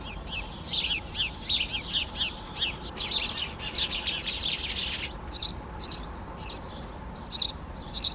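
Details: Great spotted woodpecker: after a busy stretch of rapid chirping from other birds, crisp, piercing kik calls ring out singly at uneven intervals over the last three seconds.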